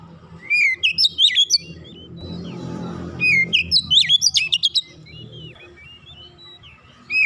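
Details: Kacer, the Oriental magpie-robin, giving dense 'nembak rapat' bursts meant to bring untrained birds into song: two runs of sharp, swooping whistles and clicks, separated by a low rumbling noise.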